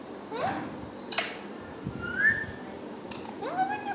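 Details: Parrot making mixed sounds: soft breathy syllables, a clear high whistle that rises and falls near the middle, then a rising nasal tone that levels off at the end, with faint background hiss.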